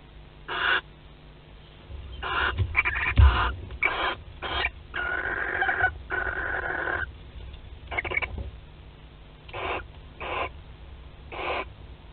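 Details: Barn owls at a nest in Théding, France, on 25 May 2020, during courtship cuddling and mating: harsh broadband hissing bursts, some short and some drawn out, separated by brief silences, with low thumping in the background.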